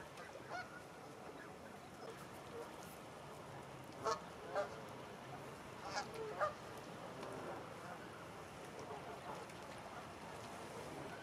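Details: Distant honks from a flock of over 100 Canada geese grazing in a Wiltshire, UK stubble field in October 2019. A few scattered nasal calls, some paired, rise above a steady background hiss, recorded on a Panasonic Lumix FZ80.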